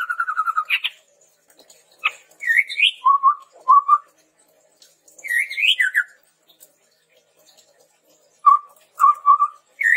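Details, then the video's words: Low trilled whistle from a chestnut-rumped babbler, used as a lure for training birds, followed by rising high whistles, short low hoots and falling notes, delivered in bursts separated by silent gaps of a second or more. "SUARA PANCINGAN BURUNG TEPUS TUNGGIR MERAH GACOR COCOK UNTUK MASTERAN"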